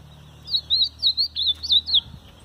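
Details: Caged ultramarine grosbeak held in the hand, answering another bird singing nearby, delivers a rapid run of about seven sweet whistled notes, each slurred up and down at high pitch, over roughly a second and a half.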